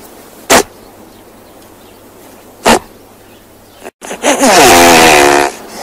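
Great bustard: two brief, breathy snorts about two seconds apart, then a loud, harsh, rasping grunt lasting just over a second.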